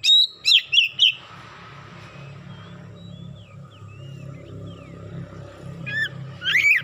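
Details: Excited Oriental magpie-robin (kacer) pouring out its isian fill-in song: four loud, sharp whistled notes in quick succession, a quiet stretch of faint thin slurred whistles over a low hum, then more loud notes at the end.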